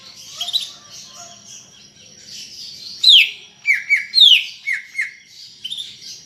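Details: Greater green leafbird in lively full song: varied whistled notes, sharp downward-slurring whistles and buzzy chattering phrases in irregular bursts, with quieter twittering between louder phrases.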